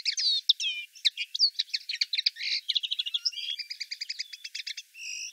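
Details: Common linnet from Wittlich, Germany, 2018, singing a varied phrase: slurred whistles, then quick chirps, a fast even trill of repeated notes, ending in a drawn-out nasal tone.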